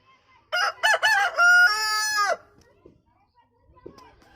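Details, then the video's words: An Aseel rooster gives one hoarse crow of about two seconds, with choppy notes opening into a long held note that drops at the end, then quiet. "Aseel Rooster crowing"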